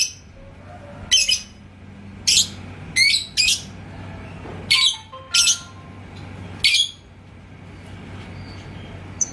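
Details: Lovebird of the type called labet koneng in Indonesia, an actively singing bird provoked by a rival's song toward ngekek. Sharp, shrill chirps come in short bursts, about eight in nine seconds and irregularly spaced, over a low steady hum.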